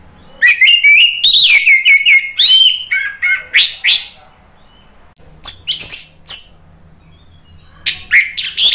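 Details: Orange-headed thrush, a caged songbird used to provoke another bird into singing, delivers loud varied phrases: clear whistled notes near the middle, fast chattering bursts and harsh high scratchy notes, with several short pauses.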